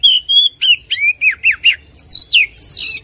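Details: Oriental magpie-robin song, played to get a reluctant caged bird singing: a rapid string of bright, loud whistled notes, some level and some dipping downward, ending in higher sweeping whistles.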